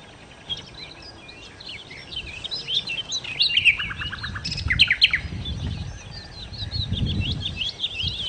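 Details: Loud, lively nightingale song, known locally as sikatan londo: a rich tumble of high twittering phrases, quick slurred whistles and a brief run of rapid clicking notes mid-phrase, over low rumbling background noise.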